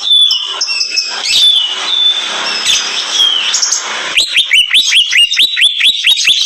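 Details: Greater green leafbird in a rage: a harsh, hissing screech with thin whistles lasting about four seconds, then a steady series of loud upswept chirps, several each second.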